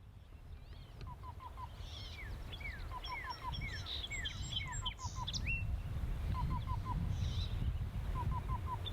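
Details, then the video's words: Black-billed Cuckoo sings soft, hollow cu-cu-cu phrases of three or four even notes, repeated every second or two, over chirps of other songbirds and a low rumble. "Black-billed Cuckoo Sings"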